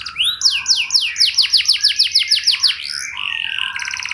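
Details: Canary singing a luxurious lure song to make other canaries respond: a run of about a dozen loud downslurred notes in quick rhythm, then a softer fast buzzy trill.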